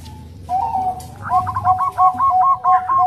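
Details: Zebra dove, Bangkok type, soft voice, female calling a male in nutut style: a drawn-out low coo, then a fast rhythmic series of bubbling coo notes over a faint low hum.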